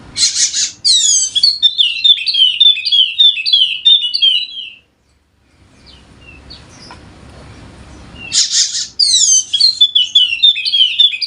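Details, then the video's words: Golden-headed Wallacean white-eye from Sumbawa, West Nusa Tenggara, singing to prompt lazy birds to sing: bursts of fast, high twittering, downslurred notes; the song breaks off into a quiet, hissy pause of several seconds, then resumes. "Pancingan Khusus Untuk Burung Pleci Wallacea Yang Malas Bunyi Agar Rajin Bunyi Gacor!!!"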